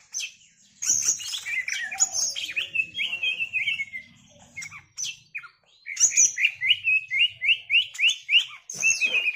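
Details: Singing greater green leafbird (cucak ijo), 'setting betina', in loud isian-filled bursts: sharp chips and tumbling phrases, then a fast series of evenly spaced bright notes, separated by short silences.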